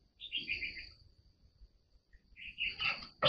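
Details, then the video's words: White-rumped shama singing: two short bursts of rich warbled notes, the first fading after a second, the second returning louder with a sharp final note, over a faint steady high tone and low background hum. "Chòe than hót líu mê đắm lòng người"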